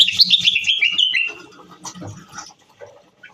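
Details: Moroccan bulbul giving a short rapid phrase of loud, slurred whistled notes sliding downward over about a second, then fading into quieter scattered chirps and low clicks.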